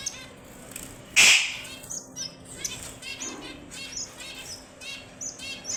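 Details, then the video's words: Red avadavat, or strawberry finch, giving a high, thin twittering of quick repeated chirps and short buzzy trills, with one loud sharp burst of noise near the start. "The Sweetest Sounds of the Strawberry Finch & Red Avadavat"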